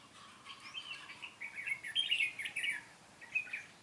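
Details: Red-whiskered bulbul decoy singing its fighting song while trapping: a run of lively, chattering warbled notes, fairly continuous, with a short phrase at the end.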